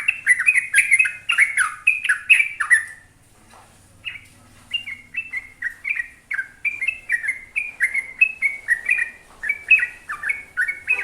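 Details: Sooty-headed bulbul, called trucuk, delivering long rolling 'gacor ropel' song: a burst of fast slurred whistles, a brief pause, then the chattering phrases resume at a brisk, even pace.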